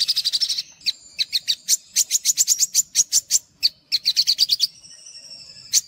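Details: Olive-backed sunbird (sogok ontong) singing for a lure recording: an opening fast trill, then spaced, piercing high notes with a sustained thin whistle underneath, ending with a quiet whistle and one final sharp note.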